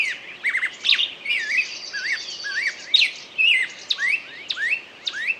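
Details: A bird delivers a rich, continuous warble of rising and falling whistles, slurred notes and sharp chirps, with quiet background noise.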